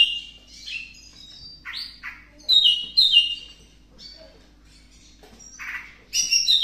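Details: Greater green leafbird singing while still wanting to mate, in a breeding context: a rich, varied warble of bright whistles, sweeping slurred notes and quick chirps, with loud bursts near the middle and end.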